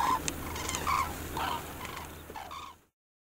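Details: A Common crane (Grus grus) gives loud, rolling trumpet-like bugles, about five short bursts over three seconds, with a steady low hum underneath.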